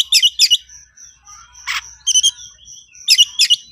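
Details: Agitated Oriental magpie-robin of the 'konslet' type calling a rival to fight: paired sharp chirp bursts separated by a long thin high whistle and a short harsh rasp in between.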